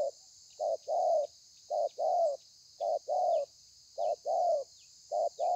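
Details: Spotted dove, wild-caught bird singing in the thổ pha style, recorded 30/11/2020: low hollow coos in pairs, a short note then a longer throaty one, repeated about once a second, over a steady high-pitched hiss.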